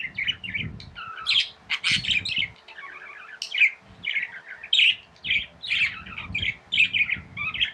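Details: Tame pet budgerigars chirping: dense bursts of scratchy, warbled chatter with sharp upward chirps, in clusters roughly every second, with brief pauses, and a low rumble of room noise underneath.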